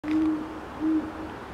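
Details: Mating Great horned owls at Forest Park, St. Louis, Missouri, USA, on 1 January 2019: two deep, steady hoots about three-quarters of a second apart, low and soft-edged, over faint background hiss.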